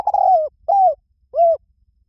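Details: Spotted dove giving three mellow coos. A drawn-out falling note comes first, then two shorter arched hoots separated by pauses. The background is quiet.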